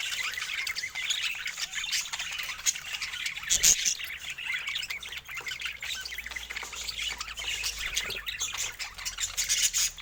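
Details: Dense budgerigar chatter: constant high twittering and squeaky warbles, with one louder sharp burst about a third of the way in.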